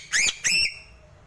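A Sulawesi crow gives two clear, high, whistled notes in quick succession, each rising then falling, with a faint ringing tail after the second.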